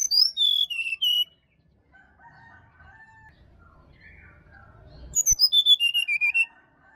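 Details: Wild forest Bali sirdadu, a morning lure for caged birds; loud descending whistled phrases open and close the stretch, with softer warbling chirps of other birds in the gap.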